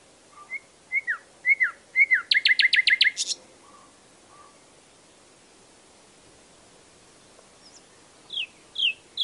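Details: Nightingale with a phrase of falling slurred chirps building into a fast, harsh rattle, a few soft whistles, then more bright downslurred notes.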